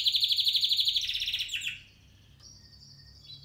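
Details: Spanish Timbrado canary of 2017 stock delivering a fast, even metallic trill of about a dozen pulses, sliding into a rolling buzz, then a brief pause and a thin high sustained note, over a faint low hum.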